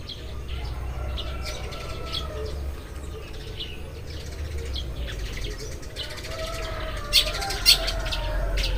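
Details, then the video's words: Group of Eurasian tree sparrows chattering at dawn with repeated short chirps, nearly two a second, growing busier toward the end, over a low rumbling background with faint drawn-out calls of other birds. "burung-burung gereja berkicau saat pagi tiba"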